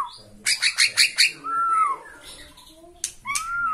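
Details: Bornean white-rumped shama roused by the sight of a rival, giving a burst of five sharp chipping notes, a smooth arched whistle, faint softer whistles, then another clear curved whistle.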